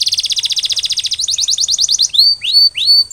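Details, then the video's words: Canary song for after-molt recovery: a fast bright trill slowing into spaced repeated notes, finishing with a few rising-then-falling whistled swoops. "Post-Molting Recovery: Get Your Canary Back to Gacor Faster!"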